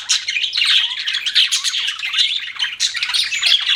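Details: Budgies chattering nonstop, a busy stream of high twittering, scratchy warbles and short squawks with no breaks, loud and close.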